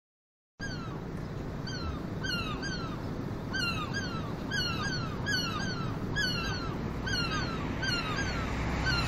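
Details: Gulls in North Wales, several birds calling together: repeated downward-slurred mewing cries, overlapping and coming several times a second, over a constant low rumbling background.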